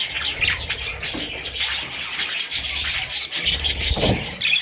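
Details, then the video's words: High, rasping cheeps from baby parrots, repeated densely, over a low rumble of movement. "Parrot little babies"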